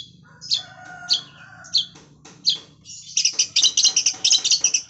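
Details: Lovebird-style mimicry by a long-tailed shrike, sung with kapas tembak phrases: spaced scratchy chirps at first, then a dense, fast burst of shrill, rattling notes in the final two seconds.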